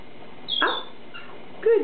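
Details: Pet male cream lineolated parakeet talking: a thin high whistle, then two short, raspy, speech-like syllables about a second apart, each sliding in pitch; he says "hi" and "me monster" and growls.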